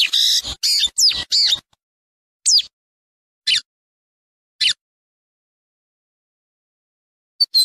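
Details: Wild lined seedeater song: a burst of three or four rasping, buzzy high notes, followed by three separate sharp downward-slurred notes roughly a second apart, then a long silence and a brief high note.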